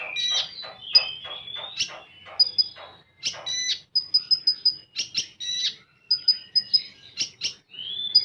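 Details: Common iora giving 'full tembakan' song: a rapid rattling series of short notes at the start, then alternating rough bursts and crisp repeated high pips in groups of four to six.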